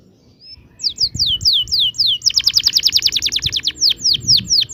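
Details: Canary delivering its ngerol rolling song, a tutor for young canaries learning to sing: a lone high whistle, spaced falling notes, then a very rapid dense roll of short whistles slowing at the end.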